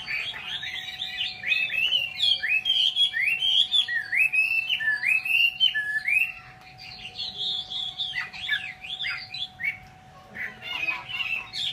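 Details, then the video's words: Vietnamese Chinese hwamei delivering loud, looping whistled phrases in quick succession for about six seconds, then softer, scattered notes with pauses; a constant low hum underneath. "chim mi"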